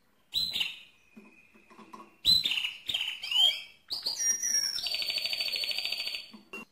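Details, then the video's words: Mosaic canary song with varied phrases: a chirp leading into a held whistle, sweeping slurred notes, then a fast buzzy trill lasting about two seconds. "le Chant le plus fort de canari mosaïque"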